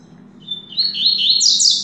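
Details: Caged double-collared seedeater (coleiro) kept by a breeder for song contests, delivering a fast, high phrase of rising and falling buzzy notes that climbs and quickens toward the end, with a faint low room hum beneath.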